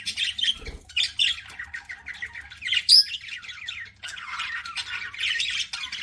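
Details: Pet budgerigars eating and chirping: dense raspy warbles and clipped squawks, one sharp high whistle, and a burst of noisier chatter toward the end.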